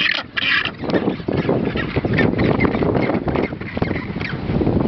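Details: Magellanic penguins (Spheniscus magellanicus) at Isla Pingüino, Puerto Deseado, Santa Cruz, recorded 18 January 2013: loud, harsh, braying honks in dense overlapping bursts from a noisy colony.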